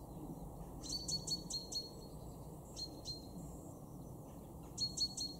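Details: A great tit in a garden in Weener, East Frisia, northwest Germany, in February 2023, gives quick bursts of three to four high, ringing two-part notes, repeated a few times, over a steady low rumble of wind or distant traffic.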